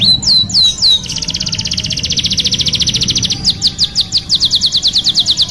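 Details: Canary in long, vigorous song: a few sharp high downward-sweeping notes, then an extended fast rattling trill, shifting into slower high slurred notes repeated several times a second; faint low hum behind.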